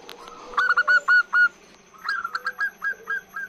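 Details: A female perkutut (zebra dove) luring males with a long call: a tight cluster of loud, clear whistled coos, a pause, then a softer run of short down-slurred notes.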